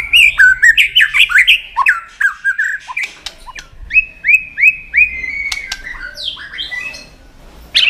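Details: Fighting song of a White-rumped shama that snaps its tail to provoke an opponent. A dense burst of quick, tumbling whistles gives way to a series of repeated rising whistled notes, then scattered chips.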